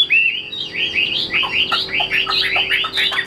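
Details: Chinese hwamei kept in a cage, singing a fast series of arched, whistled phrases, each slurring up then down, repeated several times a second with a few lower accented notes.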